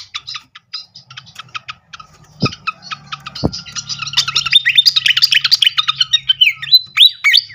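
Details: Srikatan (flycatcher) song played as a lure to trigger birds to sing: sparse sharp chips at first, then dense rapid twittering with high whistled slurs. A low hum runs underneath, with two sharp clicks.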